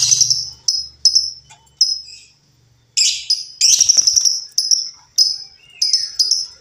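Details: Wild female lovebird, used as a lure sound, calls in rapid sharp high chirps, with a dense burst of overlapping shrill notes midway, then spaced chirps again.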